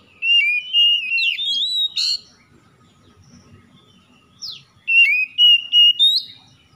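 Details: Magpie-robin morning-dew lure song, played to bring stressed magpie-robins back into song: a loud run of fluty whistles and rising slurs, a pause with one soft note, then another phrase of level and upswept whistles.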